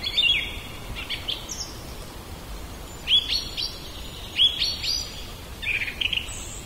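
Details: Common blackbird (Turdus merula) in a back yard, recorded on a Zoom H2n portable recorder: short bursts of whistled and chirping notes separated by brief pauses, over background hiss.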